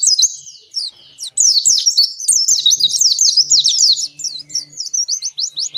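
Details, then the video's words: Oriental white-eye delivering a long continuous song meant to make captive white-eyes sing: dense, fast high twittering of sweeping whistles, briefly faltering after one second, then a lively run ending in evenly spaced sharp chirps. "Suara Pleci Gacor Ngalas Panjang ini Yang bisa Bikin Plecimu Cepat Ngalas"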